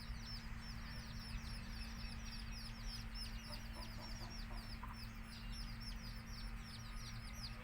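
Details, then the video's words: Baby native chickens keep up an unbroken chorus of thin, high, down-slurred peeps, faint lower notes now and then, over a steady low hum. "Cute Baby Chicks Chirping Sounds"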